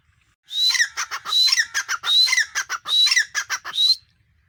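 Grey francolin giving loud, harsh, ringing phrases with a shrill whistled note, repeated about every second in a steady run, with nothing else heard.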